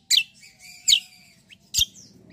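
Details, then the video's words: Cucak kombo, or black-winged myna, singing in the rolling 'ngeroll' style while sparring; three loud, rasping bursts spaced under a second apart, with softer scratchy notes between and a low steady hum behind. "CUCAK KOMBO TARUNG NGEROLL GACORR"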